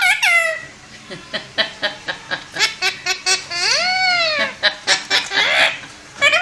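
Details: Talking parrot in nonstop vocal flow: a run of short clipped syllables, then a long gliding note that rises and falls around 4 s, followed by more chopped, speech-like bursts.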